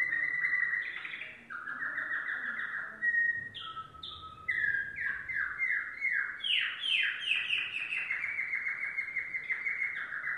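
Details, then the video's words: Song of a yellow domestic canary: varied tours of fast trills, chattering rolls and repeated upswept whistled notes, growing livelier and more rapid toward the end. "canary singing"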